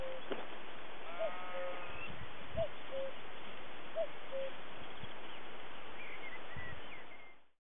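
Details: Common cuckoo on Winsford Hill, Exmoor, near the Caractacus Stone, 2017, calls a soft, falling two-note cu-coo three times, about every 1.4 seconds, over low wind rumble and a faint sheep-like bleat.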